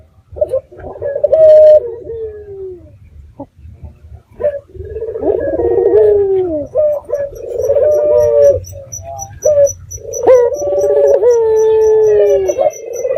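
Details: Local red-eyed dove, a lively caller used as a lure to make other doves answer: low cooing phrases, each with a rolling, throbbing start and a long drawn note that falls at the end. Several phrases follow one another with short gaps, over faint regular high ticking.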